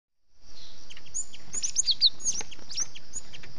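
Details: Cinereous tit, locally gelatik batu, in a lure recording for attracting and catching these birds, described as the 'kejepit' sound. Bright, high chirps and short sweeping whistles repeat rapidly over a steady high hiss.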